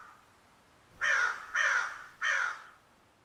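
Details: Three hoarse, slightly descending caws from a crow, delivered in quick succession over faint background noise.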